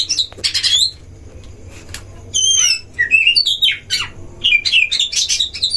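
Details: Oriental magpie-robin duel song recorded at a breeding cage to stir up other magpie-robins: scratchy opening bursts, a pause, then rippling wavy whistles and quick rising and falling phrases.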